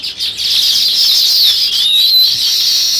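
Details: Dense, loud sparrow chirping filling the whole stretch, a steady high chatter with a few downward and upward sliding notes.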